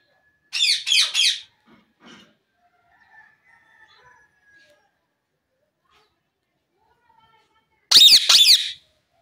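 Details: Pet Indian ringneck parakeet talking; two short bursts of harsh, rapidly repeated voice-like syllables, one near the start and one near the end, separated by near silence with faint quiet sounds.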